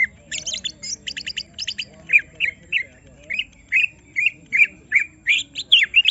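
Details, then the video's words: Greater green leafbird, provoked into agitation so that it shows its full song: rapid clusters of high buzzy chattering notes, then a string of short slurred whistled phrases repeated about every third of a second. "Semua Cucak Ijo Langsung Emosi Bongkar Isian mendengar suara Cucak Ijo lagi di Trek Emosi ini"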